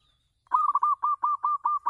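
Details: Local zebra dove singing on a house terrace, kept as a lure for other doves: a quick run of about eight rolling, cooing notes, each bending up then down, delivered in a steady staccato series.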